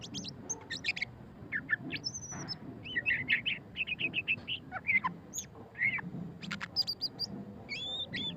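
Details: White-rumped shama singing in the chattering ngeriwik style: a rich medley of sharp chips, short whistles and rising slurred notes delivered in rapid, varied bursts over a low background hum.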